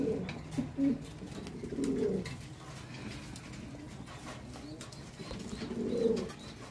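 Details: An Archangel pigeon, a fancy breed kept in Bangladesh, gives low, throaty coos in short rolling bursts a couple of seconds apart, in a small enclosed space.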